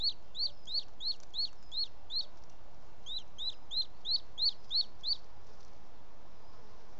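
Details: Late-evening call of a male booted eagle carrying prey, a small bird, to its nest in Els Ports Natural Park, 18 June 2017: two rapid runs of high piercing whistles, seven then six notes, over faint background hiss.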